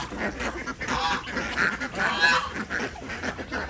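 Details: Desi ducks on a village farm in Andhra Pradesh during morning egg collection: short raspy honking quacks come in quick bursts from several birds, overlapping and uneven.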